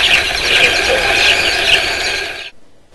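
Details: Large flock of Amur falcons in Ribhoi District; a dense, shrill, high-pitched chorus of overlapping chirping and squealing calls, continuous and loud, ending abruptly.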